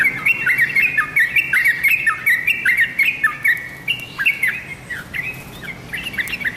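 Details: Sooty-headed bulbul, a tame bird, in lively continuous song: rapid chirpy whistled phrases with bouncing up-and-down notes, closely repeated throughout, some overlapping phrases and faint background noise.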